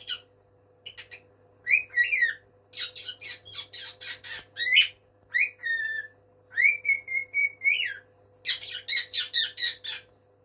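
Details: Pet bird calling to its mate indoors: harsh squawks and whistled notes in quick series, including a long level whistle ending in an upturn, with a steady electrical hum underneath.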